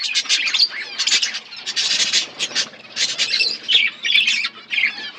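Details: Budgies kept in an aviary set in a forest environment, a flock chirping together. The sound is a dense, overlapping chatter of harsh squawks and scratchy chirps in quick bursts, with a noisy background of many birds.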